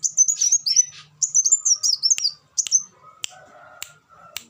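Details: Black sunbird song for tutoring caged birds: rapid, very high twittering phrases of thin, wavering whistled notes, then sharp isolated ticks over a faint lower hum.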